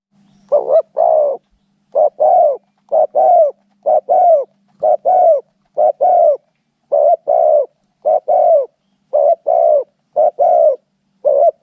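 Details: Spotted doves fighting, giving paired hoarse cooing notes that arch up and down, repeated in steady doublets about once a second with short silent gaps.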